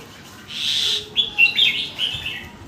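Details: Red-whiskered bulbul song in a fast phrase-linking style; a bright burst of whistled notes, then quick chirpy warbled phrases, rising and falling, over steady background hiss.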